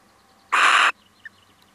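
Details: Male little owl on a visit gives a single rough, noisy screech, abrupt at start and end, followed by one tiny faint chirp.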